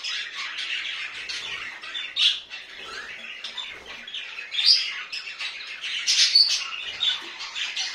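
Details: Pet budgerigars giving busy, scratchy warbling chatter mixed with sharp high chirps and occasional louder squawks.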